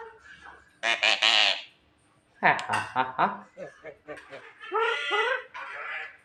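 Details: Captive Javan myna uttering loud, raspy, voice-like phrases: a drawn-out harsh call, then a quick run of descending chattering notes and a long hoarse rasp, with soft background music.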